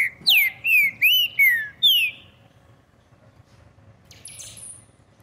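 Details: Green-winged saltator singing from a person's hand, giving five loud, rich whistled phrases in quick succession, each swooping down in pitch, followed by quiet with a short rustling noise.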